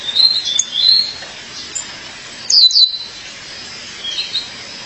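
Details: Sharp, high chirps from a female Violaceous Euphonia calling her mate, an early run of tweets, a louder double note in the middle, then faint calls.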